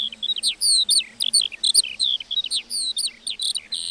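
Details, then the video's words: Meadow lark in full song, a rapid high chatter of slurred whistles, chirps and brief trills following one another continuously. "Singing lark in the meadow"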